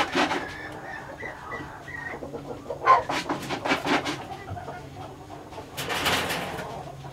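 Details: A male red junglefowl breeder of Laos strain crows in a short, broken run of high, strained notes lasting about two seconds, followed by scattered knocks and rustling.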